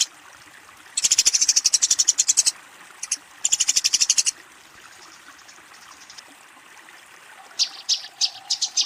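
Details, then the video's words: Eurasian tree sparrow calling a rival while fighting: two rapid bursts of high chattering chirps, a longer pause, then a few scattered sharp single chirps near the end. "suara burung gereja tarung memanggil lawan"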